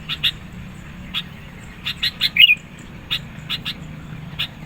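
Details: Sooty-headed bulbul singing energetically, used to lure birds and provoke rivals; short sharp chipping notes given singly and in pairs at uneven intervals, with a brighter slurred phrase near the middle, over a low steady hum.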